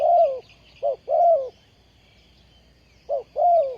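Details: Ground decoy spotted dove in a bird-trapping setup, 20 April 2020. Long mellow coo, then a brief note leading into another drawn-out falling coo. The pattern starts again after a pause.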